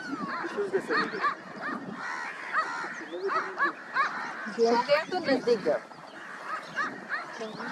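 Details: Common starlings at Vulture Conservation Centre, Jorbeer, Rajasthan, India, in January 2022 chatter in a busy, overlapping jumble of squeaky, wheezy notes, clicks and short whistles, with a louder burst of rattling calls near the middle.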